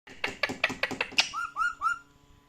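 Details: Pet parrot indoors, talkative and playful, producing a quick run of six rasping, speech-like syllables, then three short clear whistled notes that rise and fall, each about a quarter second apart, in a quiet room.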